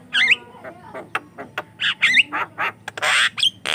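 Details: Javan myna song used as a lure for wild mynas and as a training sound for young mynas: harsh squawks and clicks mixed with looping whistled notes, ending in a loud rasping burst.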